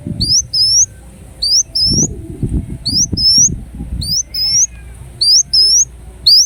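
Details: Thin, high, upslurred whistles from a ruby-cheeked sunbird in Indonesia, repeated in pairs and triplets with gaps, a brief lower buzzy note, and steady low rustling throughout.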